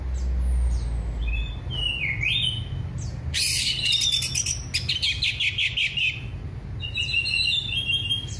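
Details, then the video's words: Orange-headed thrush singing a relaxed, clear, full 'gembling ngeplong' song, used as a lure to prompt silent birds to sing: high whistled notes and a dipping slur, then a burst of rapid chattering notes, with a low hum beneath. "Anis merah gembling ngeplong santai"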